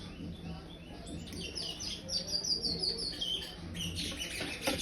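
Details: Five-month-old young chestnut-bellied seed finch, brown-plumaged, singing in the praia style: a string of high, clear whistled notes slurring downward in quick phrases, growing louder midway, over a steady low hum.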